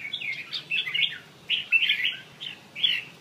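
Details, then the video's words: Bell-voiced song of a red-whiskered bulbul, with a run of short, clear whistled phrases given one after another, bright and chiming, each rising and dipping, separated by brief gaps over faint background hum. "Cm giong chuong"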